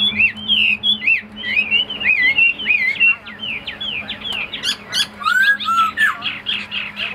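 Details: Caged male Chinese hwamei, a tame songbird, pouring out loud clear whistles in rapid succession, ringing downslurred and upslurred notes, then a few longer sweet slurred whistles near the end, over a faint steady hum.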